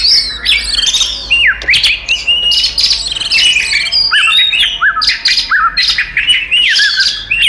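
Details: Oriental magpie-robin fighting song, used as a lure to make other magpie-robins aggressive: rapid, energetic run of high whistled and chirped notes, with repeated downward-slurred phrases and a few harsher squawky notes mixed in.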